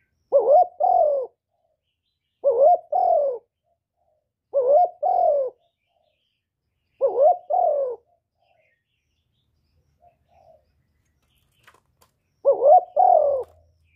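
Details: Spotted dove used by bird keepers to prompt their own doves to call, cooing in short wavering two-part phrases repeated roughly every two to three seconds, five phrases with a pause near the end, in otherwise quiet surroundings.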